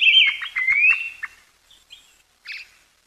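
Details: Brown-headed thrush, a winter visitor to Pingtung County, Taiwan, recorded 20 December 2022: a long, slurred whistle dipping then rising, overlaid with sharp ticks, followed by a couple of faint short notes and one brief buzzy call.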